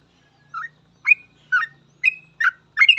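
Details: Sooty-headed bulbul singing 'gacor full ropel' as a training master: six short, throaty whistled notes, roughly two per second, over a faint low hum.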